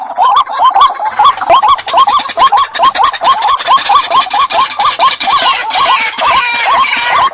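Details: Two white-breasted waterhens calling as a pair, with clear, hooked croaks repeated about twice a second and a second bird's fainter, rougher notes layered in behind.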